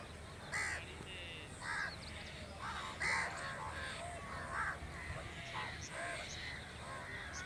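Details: Natural crow sound: separate harsh caws spaced about a second apart, some louder and some more distant, over a steady low background hum.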